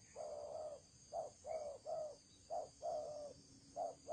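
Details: Spotted dove decoy bird in thổ trần cooing style, repeating low, round hooting notes, short coos alternating with longer level ones, around nine notes in four seconds against a light steady hiss.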